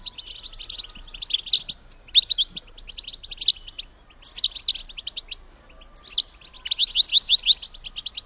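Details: Female European goldfinch call, used to stimulate males to mate; bright twittering chirps in bursts of about half a second, with a final run of rapid rising notes, on a quiet background.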